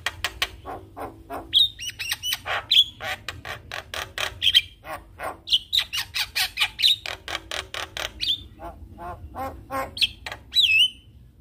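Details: Javan myna in full song, packed with fill-in phrases that set other mynas singing: long run of evenly spaced harsh rasping bursts, broken by short sharp whistles, ending with a falling whistle.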